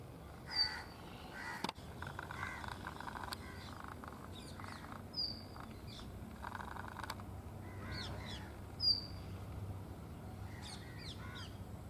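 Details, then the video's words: Brown rock chat calling while dancing at Tibbi in Hanumangarh, Rajasthan, India, in 2019: scattered rasping, harmonic calls, several short sharp high whistles and quick chirp bursts, with a couple of clicks and a constant low noise floor. "Indian Rock chat 2।। Indian Birds videos।। calling and dancing at Tibbi Hanumangarh 2019"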